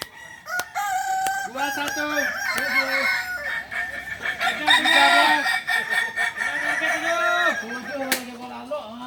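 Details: Practice crowing contest of balenggek roosters in Ampang Kualo, Solok city, Indonesia; a dense chorus of long, stepped crows made of repeated arched syllables overlaps throughout, with counting voices nearby.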